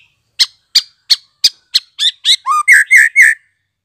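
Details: Just-weaned fledgling white-rumped shama, its sound used to encourage young birds to learn; a series of sharp ticking notes about three per second, turning into louder squeaky whistled chirps.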